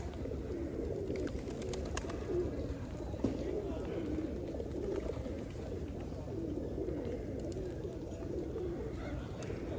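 Many pigeons coo together in a continuous low, throaty murmur. The soft rolling coos overlap without pause, with a few faint clicks and rustles.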